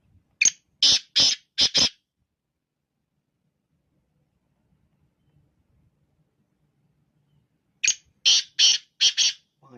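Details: Two identical phrases of five harsh rasping notes from a black francolin in the morning, separated by about six seconds of near silence.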